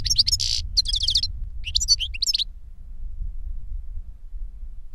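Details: Older goldfinch singing to teach a younger goldfinch: a burst of bright twittering and buzzy, tinkling notes over the first two and a half seconds, then quiet with a low background rumble.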